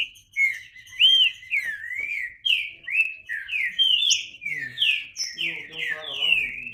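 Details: Green-winged saltator with flowing whistled song, looping and down-slurred notes repeated in quick succession, with a soft low sound near the end.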